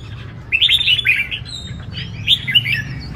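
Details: Brief burst from competing caged red-whiskered bulbuls at a large contest arena: two quick clusters of bright, slurred whistles and chirps over a steady low background rumble.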